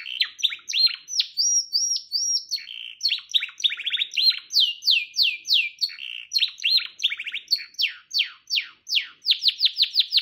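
A canary sings a long, rapid run of rolling trills and slurred whistled notes, shifting between tours of repeated downswept phrases and brief flat whistles.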